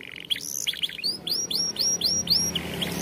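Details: Champion canary song used for training young canaries: high chirps, then a run of rising whistled upsweeps repeated about four times a second, bright and sharp.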